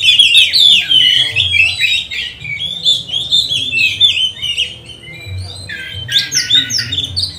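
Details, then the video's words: Oriental magpie-robin in full, energetic song used to train magpie-robins and rouse them to aggression during lockdown; rapid tumbling whistled warbles, then a brighter burst of sharp chips near the end, over a faint low hum. "Pancingan kacer gacor nembak untuk melatih kacer di saat lockdown, bongkar isian kacer cepat emosi"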